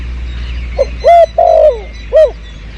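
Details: Spotted dove calling behind the house plants during a 2022 luring session: a soft short note, then two loud hollow coos and a final coo, low and mellow, over a faint steady hum.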